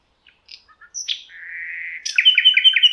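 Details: Nightingale song from the Rawka river valley in Poland: a few soft scattered notes, a drawn-out level whistle, then a quick run of sharp repeated notes.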